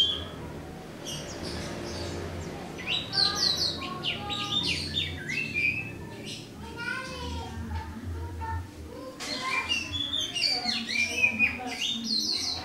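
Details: Oriental magpie-robin (white-breasted kacer) singing alone in the morning, delivering a varied rich run of whistles, chirps and trills in bursts with brief pauses, over low background hum.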